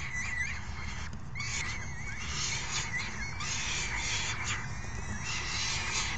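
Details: Young falcons being fed by a parent on 3 June 2018 give wobbly, rising-and-falling whining calls, broken by scratchy rasps, all over a persistent low drone.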